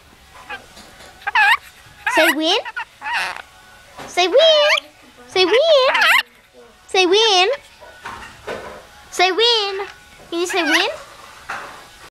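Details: Rainbow lorikeets attacking a torch give about a dozen loud, wavering squawks with a warbling, twisting pitch, in short bursts roughly once a second with brief pauses between.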